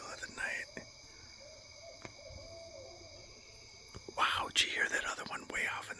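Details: Owl calling in the dark night, a low, wavering run of soft hoots lasting about two seconds over a steady high insect drone, then a man speaks loudly close by.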